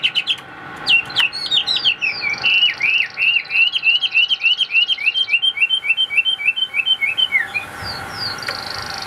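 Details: Chinese hwamei kept in a cage delivers a fast, rolling series of about two dozen slurred whistled notes, each dipping then rising, repeated roughly three times per second before a short pause and a few sharp final notes.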